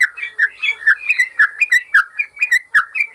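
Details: Clear yellow-vented bulbul song from a master recording for caged birds: rounded, gurgling whistled notes, about four per second, each sliding downward in a steady bubbling flow.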